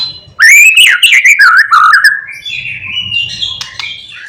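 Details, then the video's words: Morning song of a white-rumped shama meant to make other shamas sing: a loud rising whistle leading into quick warbled notes, fading into softer chatter over a faint low hum. "Pancingan MURAI BATU GACOR PAGI HARI supaya murai jadi EMOSI BUNYI Full isian"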